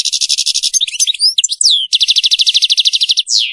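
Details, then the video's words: European goldfinch in serfati-style song: fast buzzy repeated trill notes, a burst of sliding whistles and twitters, then another long even trill ending in a falling slurred note. "تغريد رائع للحسون ملك الطيور المغردة تغريد السرفاتي"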